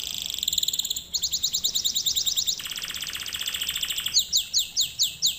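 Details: Canary lesson singing: a fast high trill, a chain of chevron-shaped notes, a dense rolling buzz, and finally slower swooping notes about two per second.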